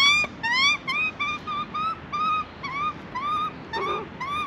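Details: Young Australian magpie in Australia asking for food: a fast series of short, clear, upward-curving squeaky calls, roughly two per second, steady in pitch, with a low background hum.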